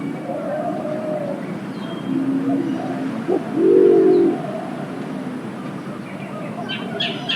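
Green imperial pigeon giving deep, low hooting coos, the loudest a short rising-falling phrase near the middle, with faint bird chirps in the background.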